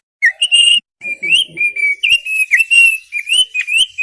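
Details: Thick-billed white-eye giving a varied run of whistles, some rising and some falling, strung almost continuously with short breaks.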